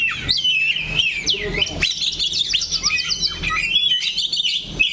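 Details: Oriental magpie-robin sitting fixed on one point of its perch sings loud curving whistles, then a rapid run of repeated buzzy notes, with little other sound.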